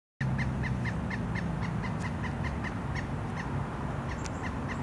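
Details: A pileated woodpecker (Dryocopus pileatus) in Savannah, Georgia, gives a long, even series of loud wuk notes, about four or five a second, fading toward the end over a steady low rumble.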